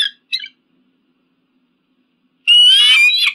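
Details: Eagle scream: two brief chirps, a silent pause, then one loud, shrill, rasping squeal at the end.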